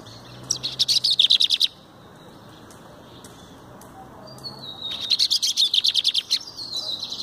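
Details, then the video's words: Hand-held lined seedeater delivering two bursts of rapid, sharp trilled notes, each about a second long, separated by a quiet gap, with a short buzzy lead-in before the second burst. "Bigodeiro Verdin cantando na mão"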